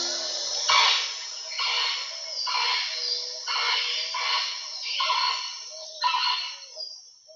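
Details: On a March 2026 birding trip, heard while boarding a bus, a Northern Screamer gives loud, harsh, honking calls, about seven rough blasts roughly once a second, with a faint hiss behind.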